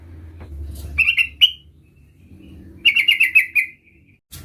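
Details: Sooty-headed bulbul, a young bird learning its rolling "ngerol" song: a brief pair of clear notes, then after a pause a quick run of about six bright chirping notes that fade out. There is low background hum.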